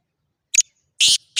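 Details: Black francolin from Khushab calling: one short rasping note, then two loud, harsh, grating notes that are cut off at the end, with no other sounds behind them.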